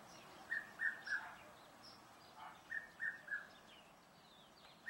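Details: Loud, evenly spaced three-note whistles of a Red-chested Cuckoo in a Pretoria garden, South Africa, two full phrases and the start of a third, each note falling slightly, with thin high chirps of other birds behind.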